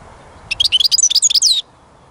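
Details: European goldfinch delivering one rapid phrase of bright, tinkling twitters and rising and falling whistled notes, just over a second long, in otherwise quiet surroundings.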